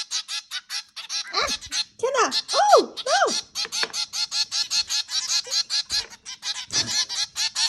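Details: Zebra finches at home during feeding, giving quick repeated nasal beeps in a lively chatter, with a few lower, arching voice-like sounds in the middle of the stretch.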